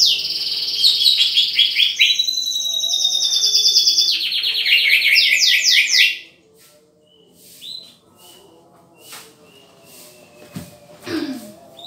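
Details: Green leafbird during pairing: about six seconds of loud, rapid, high trilled and chattering song with stepped pitch changes, then it stops, leaving soft calls and a few knocks.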